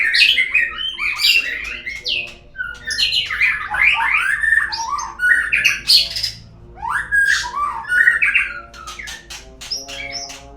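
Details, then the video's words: Continuous white-rumped shama song meant to prompt birds to sing: a dense tumble of loud, varied whistles, rising and falling slurs and harsh chips over about ten seconds. "suara pancingan burung murai agar bunyi"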